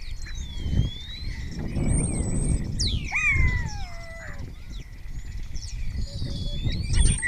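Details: Spotless starling in Cabañeros National Park, Spain, singing and answered by others of its kind, mimicking other birds. Varied high whistles, a steep descending slur and a wavering falling whistle near the middle, over steady low background rumble.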